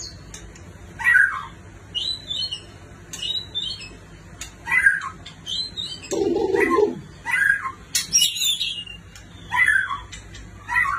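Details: White-rumped shama said to come from a neighbouring country, giving short separated whistled phrases every second or two, with high chirps and one low harsh note in the middle.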